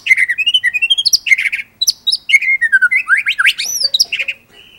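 A white-rumped shama delivers a rich, fast song of rapid chattering trills, bright rising whistles and sweeping slurred notes, broken by brief pauses.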